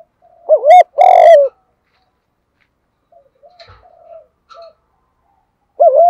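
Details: Spotted dove in the thúc gù cooing style, with a strong, vigorous voice. Two loud, slightly distorted low coos open the clip, followed by soft, faint cooing notes and another loud coo at the end.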